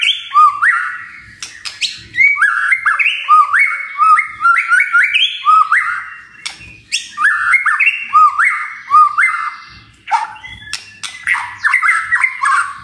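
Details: Magpie-robin song used as a lure to get other birds singing: loud, clear whistled phrases of rising and falling notes in quick, varied bursts, with short pauses between phrases and a few sharp chirps.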